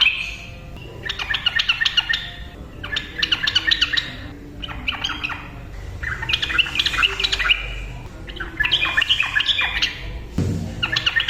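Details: Ropel song of a vocal yellow-vented bulbul, used to provoke quiet bulbuls into singing. Repeated fast clusters of squeaky, chirping notes run in bursts of one to two seconds, with brief gaps between them.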